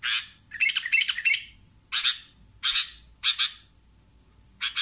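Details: Sooty-headed bulbul uttering a harsh, scratchy burst of jumbled notes followed by separate rough double chirps about once a second, with a faint continuous high tone.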